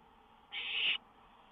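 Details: Owl on a lookout in the early hours of May 19, 2013, songbird near; one single raspy hiss lasting about half a second, swelling toward its end, over low steady hum.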